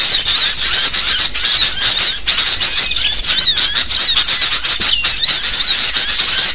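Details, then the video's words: Lure sound of a busy sooty-headed bulbul flock, made for bird catching: many shrill, squeaky notes and short upward-curving whistles pouring out together in a steady, crowded chorus. "Suara pikat Kutilang Ribut anti GAGAL"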